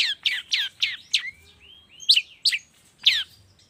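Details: Raspy descending notes repeated about once a second, then whistled slides and sharp squeaky calls, in a long-tailed shrike morning lure meant to make silent shrikes sing.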